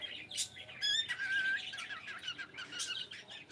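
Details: A pet cockatiel saying good morning starts with a clear, strongly harmonic whistle that glides and holds. Busy, raspy chirping and a few sharp clicks follow.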